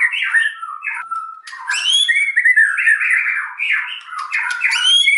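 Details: White-rumped shama in continuous loud song, a dense stream of warbled whistles, quick slurred notes and harsher chatter with high sharp accents, delivered with barely a break.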